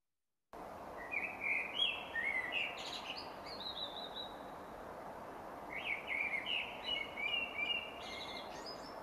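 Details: Common Blackbird song, a dawn-chorus singer, in two mellow, fluty warbled phrases a few seconds apart, each different and improvised, ending in a thin, squeaky twitter, over soft background hiss.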